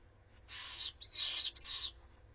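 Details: Common swift chicks, three in a nest under attack by an intruder in the parents' absence, Jerez de la Frontera; three drawn-out piercing screeches, each roughly a third of a second, separated by short silences.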